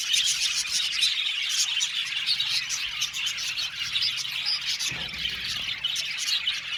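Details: Pet budgies in a colony aviary singing, dense high chattering and chirps from many birds, with a brief low thump near the five-second mark.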